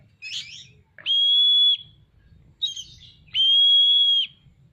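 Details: Kacer, the Oriental magpie-robin, in full song with tail spread: a rough scratchy phrase, then a long flat whistle, repeated, each whistle held nearly a second against a soft low rumble.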